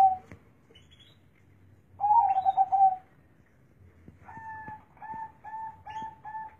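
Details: Zebra dove with a large, deep bass voice giving one tremulous rolling coo phrase lasting about a second, followed by a series of short, steady, evenly pitched hooting tones repeated in quick succession.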